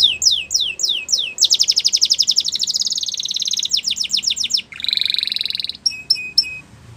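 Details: Canary singing, used to encourage other canaries to sing: series of falling whistles, a long fast rattling trill, a steady buzzy tone, then short clipped notes.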